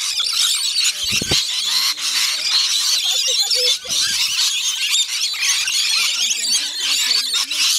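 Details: Rainbow lorikeets at a feeding session at Bungalow Bay Koala Village on Magnetic Island, off Townsville, Queensland, Australia. A dense, continuous din of shrill, overlapping screeches and squeals from many birds in a feeding frenzy, with brief low thuds.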